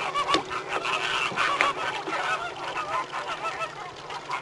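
American flamingos in a flock give a dense, overlapping chorus of nasal, goose-like honks and grunts that runs without a break.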